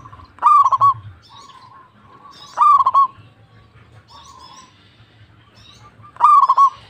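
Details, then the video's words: Local zebra dove, perkutut, in energetic song. Three phrases spaced two to three seconds apart, each a crisp opening followed by a rapid roll of pulsed coos. Quieter, smoother coos from other doves sound between them, and a faint low hum runs throughout. "PERKUTUT LOKAL GACOR"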